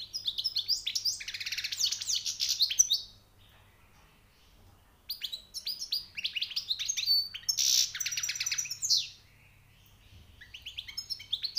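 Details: Newly caught European goldfinch singing high notes in two long phrases of dense twittering and buzzy trills separated by a pause, then a third phrase starting.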